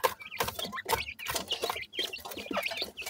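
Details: Young francolins after feeding, described as holding on to their food; dense short chirps and clucking notes come in quick bursts over a continuous scratchy, rustling background.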